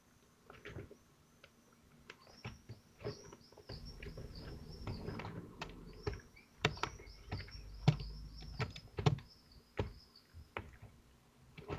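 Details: Kestrels feeding at their nest in Théding, France, 25 June 2023, with prey being pulled at: a long series of high, thin, arched squeals mixed with many sharp clicks, taps and scraping knocks.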